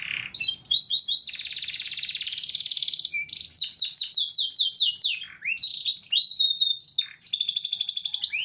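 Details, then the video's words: Canary in a small room singing as a master for training other canaries: dense buzzy rolling trills alternating with quick whistled slurs and abrupt note changes, loud and continuous. "Gacorrr Cuit Cuirr Roll || Kenari Bahan Auto Ikutan Bunyi."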